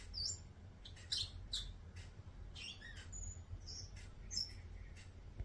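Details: Bourke's parrot giving a short run of high chirps, squeaky upslurred notes and a couple of brief clear whistles, against a constant low background hum.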